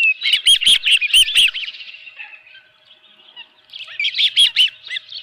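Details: Osprey calling at its nest where a live fish was brought, June 2018 at 7:32 AM: quick runs of shrill whistled chirps, a quiet gap, then another chirping burst. Occasional sharp knocks are heard.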